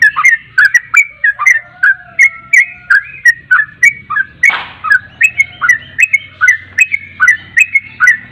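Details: Lively Javan pied starling song made of rapid whistled slurs and short chattering notes at a steady brisk pace, broken once by a brief harsh noise burst, with faint low hum behind.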